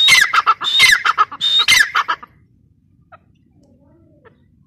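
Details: Grey partridge, called teetar, gives a brief burst of loud, grating repeated notes with whistled high tones for about two seconds, then near silence.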